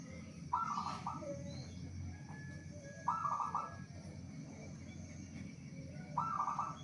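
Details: Local zebra dove in frequent song, used to stir other doves into calling. Three brief trilled coo phrases, about three seconds apart, sound over a steady low rumble of background noise.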